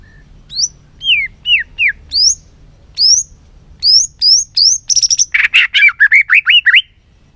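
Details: White-rumped shama, stirred up to sing many-voiced song while flicking its tail, delivering clear whistled notes that slur downward, then a rapid run of short bright notes and upswept whistles.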